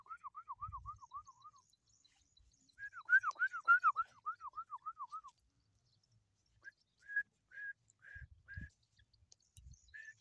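Black francolin chicks give quick runs of about eight arched, whistled peeps, then short, higher, separate notes. A few low thumps sound underneath.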